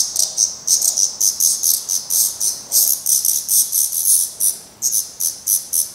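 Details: Fledgling black redstarts still dependent on their parents at a nest in Portugal: sharp, scratchy begging bursts repeated evenly, close to four per second, throughout.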